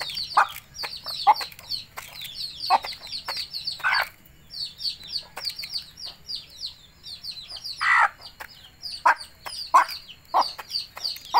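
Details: Hen summoning her chicks to eat: loud, throaty clucks in short bursts and pairs with brief pauses, answered by clusters of high, twittering chick peeps.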